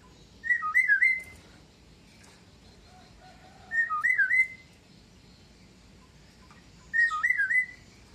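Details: Caged Javan myna, about two years old, raised as a pet and able to copy several sounds, repeats the same wavering whistled phrase three times, roughly every three seconds, with short clicks between phrases.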